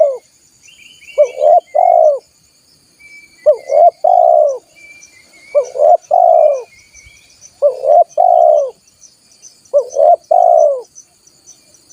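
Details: Repeated spotted dove lure call meant to bring in wild doves: five regular three-note phrases about two seconds apart, a hooked opener, a rounded middle and a long falling coo, over soft chirping birds and a high insect drone.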